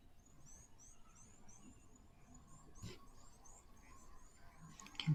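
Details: Blue waxbills (Uraeginthus angolensis) give thin, very high, slightly sliding notes in quick succession, several per second, over a steady low outdoor rumble with faint other bird notes, at an African waterhole, 19 August 2024.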